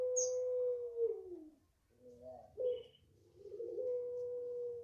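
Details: Five-month-old Barbary dove of puter pelung type calling: a long steady coo that drops away, a pause, quick rising notes, then another long even tone stretching to the end.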